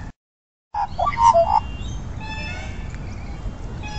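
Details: Morning chorus of Australian magpies in Centennial Park, Australia, singing together: a burst of loud fluty, warbling notes after a brief gap, then softer overlapping whistled phrases fading over low background rumble.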